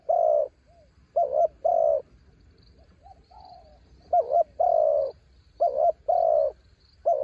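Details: Used as a decoy against strong wind, a spotted dove repeats mellow phrases. Each phrase is a quick two-part hoot and then a sustained coo. There is a pause with faint soft notes midway, then the phrases resume steadily.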